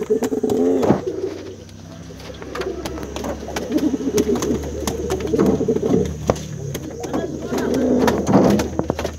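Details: Brown male pigeon cooing to call a female, low throaty rolling phrases repeated several times with short gaps, in a quiet indoor space with faint background noise.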